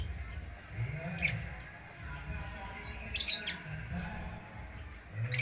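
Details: A songbird in full, vigorous song gives three short, bright, high-pitched chirping bursts about two seconds apart, separated by quiet gaps, over a steady low rumble of background noise.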